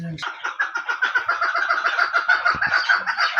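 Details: Female chukar kept for hunting, producing dense rapid clucks in a continuous, slightly irregular chatter, with a short low noise at the start.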